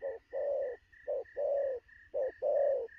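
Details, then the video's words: Spotted dove, a recent wild catch, cooing fast at midday: paired short and long low coos in quick succession, with a steady series of thin higher beeping notes behind. "Sấm thổ gù tốc độ, 12h trưa mà bổi quá sung"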